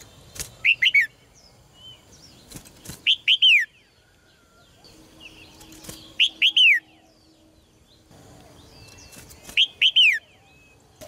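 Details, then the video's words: Caged red-whiskered bulbul singing so males will sing strongly: four phrases of two or three arched whistled notes, roughly every three seconds, with occasional flutters and clicks between. "นกหัวจุก birds - เสียงนกร้องในกรง กระตุ้นนกตัวผู้ให้ร้องอย่างแรง"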